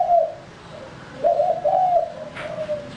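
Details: Male spotted dove, a bird kept for luring, utters one soft coo then a longer, slurred, wavering cooing phrase that fades out, with a faint click near the end.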